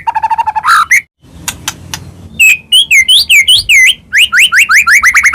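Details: White-rumped shama, Medan type, singing to provoke others: a rapid low buzzy rattle, sharp clicks, then clear whistled slurs and a quick series of rising notes repeated about every quarter second.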